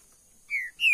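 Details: Green-winged saltator (trinca-ferro verdadeiro) kept in a cage gives two short, pure whistled notes in quick succession, each gliding slightly downward, the second higher and louder than the first.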